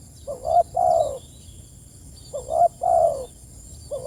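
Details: Spotted dove calling its companions: low, soft two-part coos, a short rising note then a longer hooting croo, repeated about every two seconds, with faint thin high chirps in the background.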